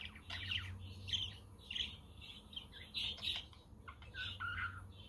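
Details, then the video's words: Budgerigars chirping on a windy, sunny day with a quaker and a conure in the background; busy overlapping warbles and short chirps over a low wind rumble. "Parakeet Friends for your LONELY budgie birds"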